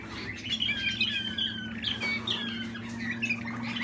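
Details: Caged young Waterslager canary of the Malinois breed, hatched 2020, delivering clear gliding whistles and bubbling trills in quick phrases, with a steady low hum underneath.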